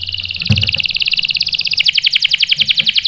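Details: Canary song meant to provoke other canaries into answering rolls: a continuous rapid chattering trill, about eight notes per second, growing louder and more clipped toward the end, with one low knock.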